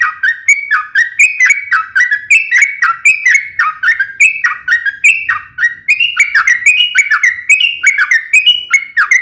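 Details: Sooty-headed bulbul giving a sharp, rapid fighting song meant to provoke other bulbuls into singing: a fast string of short whistled notes, each rising or stepping up and then dropping, delivered about four per second without pause.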